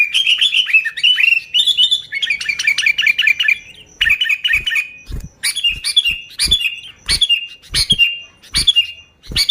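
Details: Lively sooty-headed bulbul song for luring bulbuls, with no fill-in songs of other birds: dense warbling bursts at first, then short bubbly phrases repeated regularly, each with a sharp knocking click.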